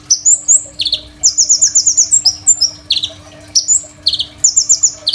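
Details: Crimson sunbird in full song, used as a training master for other songbirds: rapid high trills, thin chips and buzzy descending notes in dense phrases with brief gaps, over a steady faint hum.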